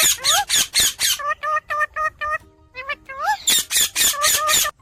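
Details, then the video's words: Talking ringneck parakeet giving rapid harsh squawks that alternate with steady, evenly spaced harmonic chirps, about four notes per second. A brief quiet gap falls midway before the loud squawking resumes. "Talking Parrot Chirping Sounds"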